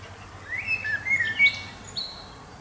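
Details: Singing common blackbird delivering a short run of fluty, slurred whistles, then a couple of higher thin notes, with a faint low hum underneath.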